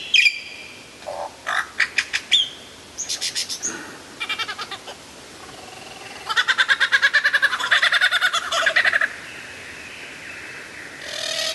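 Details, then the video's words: Lyrebird in full song, loud and clear: quick runs of clipped notes, harsh rattling bursts and a long fast chattering trill, with brief pauses between phrases. "suara burung lyrebird gacor"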